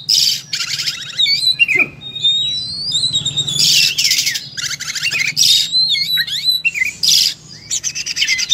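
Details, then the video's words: ['Oriental magpie-robin singing in full combat mode and spilling out its repertoire. Buzzy high bursts alternate with clear slurred whistles and quick chips, and the song rarely stops. A steady low hum runs in the background.'] "Kacer full tarung muntah materi"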